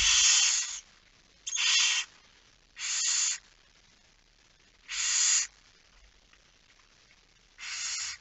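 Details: Barn owl heard at the nest during nocturnal feeding on 10 September 2019, 22:45, with five harsh, steam-like hisses of under a second each, irregularly spaced with longer pauses later.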